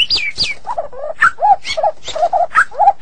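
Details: Medan-type shama in 'gacor' song: downward-sweeping high whistles give way to lower, throaty chuckling notes, repeated in quick succession.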